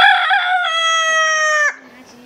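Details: Rooster of Askole, a small village in the Braldu and Shigar Valley of Baltistan, Pakistan, crowing to wake the world: a loud, harmonic-rich crow with a few choppy opening notes, then a long level note that ends abruptly with a falling drop, followed by quiet background.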